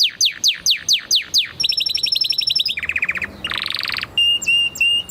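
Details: Canary song: a run of fast descending whistled sweeps, then rapid buzzy trills, a lower rattling roll, a rising trill and steady pure whistled notes, all in quick succession.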